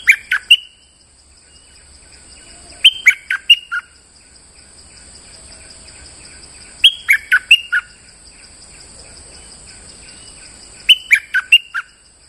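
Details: Bulbul lure sound: a lively four-to-five-note chirped phrase repeated about every four seconds, three times in all, each ending in a thin whistle, over faint steady hiss.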